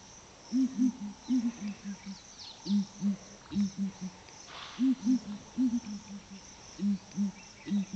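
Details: Morning booming of ground hornbills at Flatdogs Camp, low muffled hoots falling into paired and tripled phrases about every second, steady rhythm over a quiet background with faint insects.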